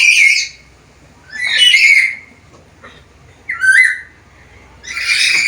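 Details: Black-capped lory, described as vocal and able to talk with varied sounds; loud, harsh, broadband squawks about once every one to two seconds, one replaced by a short falling whistle.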